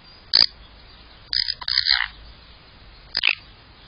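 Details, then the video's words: Magpie calling close to the camera: three short, harsh, rasping bursts, a brief one, then a longer broken chatter, then a final brief burst, with quiet gaps between. "Magpie speaks to camera"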